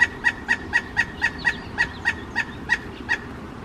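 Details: Ringing call of a male pileated woodpecker visiting a suet feeder near a kitchen window: about a dozen loud, clear notes delivered quickly and evenly, fading slightly toward the end.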